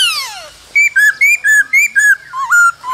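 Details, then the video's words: Cold-season song of a male laughingthrush, with female calls: a sliding downward note, then about eight clear whistled notes alternating high and lower in a steady bouncing rhythm, roughly three per second. "Khướu trống hót múa kèm tiếng mái ro kích bổi mùa lạnh"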